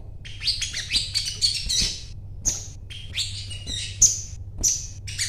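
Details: Crimson sunbird (sogon), a bought bird singing actively in 'gacor' style: high, thin twittering bursts and sharp chirps with rapid downslurred notes, separated by short pauses, over a low steady hum.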